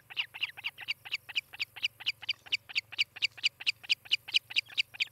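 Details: Nesting osprey near Charlo, Montana, recorded by nest cam on 18 July 2018 mid-morning, giving some twenty shrill whistled chirps in quick, even succession, a soft steady hum underneath.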